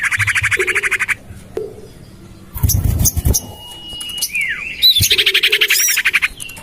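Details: Common iora calls used as a lure, tested in a home garden: fast buzzy chattering, a pause with low rustling, then a long level whistle dropping into a down-slurred note and more rapid chatter.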